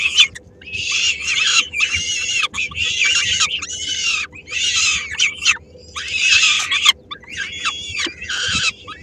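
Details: Peregrine falcons at a nest in Helmond, 13 May 2016: the female brings a small morsel for her three-week-old chicks, some of which snatch it. Harsh, raspy screeching bursts repeat roughly every second over a steady low hum.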